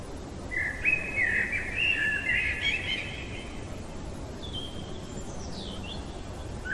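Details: A common blackbird sings in the middle of the night, giving a sustained mellow fluted phrase. Faint, thin, high descending notes follow after a pause, over a continuous low hiss.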